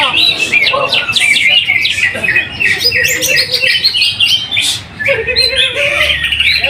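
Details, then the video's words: A greater green leafbird sings in a cage during a weekly practice contest at Trowulan, Mojokerto, and wins first place. It gives dense bursts of fast twittering and piercing whistles, briefly pausing mid-clip, with low human voices and other songbirds mixed in. "AKSI PENAMPILAN EPIK BURUNG CUCAK HIJAU"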